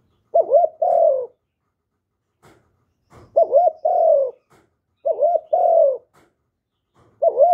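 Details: Spotted dove cooing in Vietnam, recorded clean: four repeated two-part phrases, a brief wavering coo and then a longer descending note, roughly every two seconds, with soft clicks and knocks between them.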